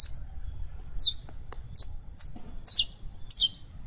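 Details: Saffron finch (canario criollo) giving short high chirps, each a sharp downslurred note, spaced about half a second apart, with faint clicks and a low background rumble.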